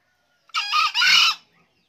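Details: Green junglefowl giving a single hoarse, harsh crow in two linked parts, a shorter first note then a longer, fuller second, against a quiet background.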